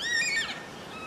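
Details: Yellow-tailed black cockatoo giving a single short, harsh wailing note, rich in overtones, that rises slightly and then slides downward before fading, with a faint background hiss.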